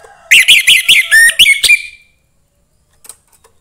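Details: A young forest orange-headed thrush sings to rouse other thrushes: a fast burst of rich whistled and scratchy notes lasting under two seconds, followed by quiet with a few soft distant clicks.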